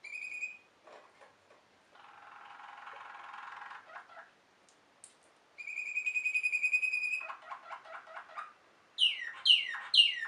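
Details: Waterslager canary, a Belgian song canary prized for water-like bubbling tones, singing varied phrases: a brief high whistle, a buzzy rolling passage, a rapid bright trill, stuttering notes and falling sweeps, with pauses between.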